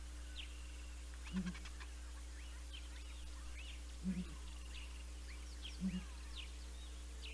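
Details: Southern Ground Hornbill pair recorded by live camera at Naledi Cat-EYE, 19 December 2021. Three deep, hollow double-noted booms sound at irregular intervals, while many small birds chirp and whistle higher up in the background.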